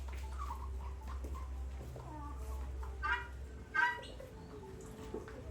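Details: Helmeted guineafowl, an extremely territorial bird, giving a couple of harsh, grating calls over a low background rumble.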